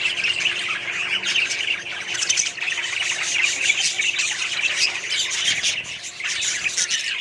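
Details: Small colony of budgerigars chattering together, a steady wall of overlapping squawks, chirps and warbles from several birds, with a brief dip in loudness near the end before the chorus resumes.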